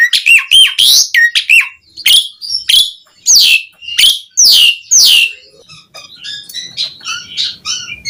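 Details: Asian pied starling singing richly as a lure to get other starlings singing: fast series of strong whistled and buzzy notes for five seconds, then softer, scattered chirps.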